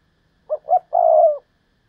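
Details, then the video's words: Spotted dove used as a decoy, singing the Thúc Lợi Cốt style. It gives a brief pair of mellow coos and then a drawn-out, level, deep note that tails off, with no other sounds. "Chim Cu Mồi/ Thúc Lợi Cốt"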